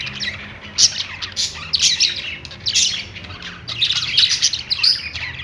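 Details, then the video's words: Perched parakeets in song: quick scratchy chirps and squeaky notes in uneven clusters of about a second each, continuing steadily throughout. "budgies singing on perch | parakeet chirping sounds"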